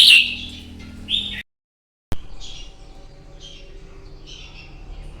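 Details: Wild-caught red-whiskered bulbul with its morning fighting song for training birds: a loud warbled phrase opening, a brief silence, then softer, more distant whistled notes over steady low hum.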